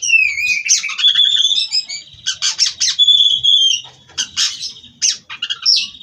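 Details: Oriental magpie-robin from a breeder, singing a continuous rolling song: a loud whistled opening, then dense chattering trills broken by drawn-out level whistles and quick squeaky notes.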